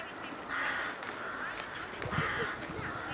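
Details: Rooks in a flock at Boscawen Park in Truro, recorded 8 January: a few rough, drawn-out caws over a dense hubbub of distant calling and low background noise.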